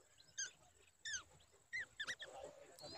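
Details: Protective babbler mother with a chick in danger gives a few sharp, downslurred alarm notes spaced irregularly, ending in a rougher burst, over a faint constant whine.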